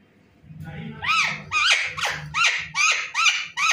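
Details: Talking pet parrot that imitates a cat's meow and a dog's bark: seven loud, harsh, arching harmonic calls repeated about every half second, each swooping up then down, over a low indoor hum.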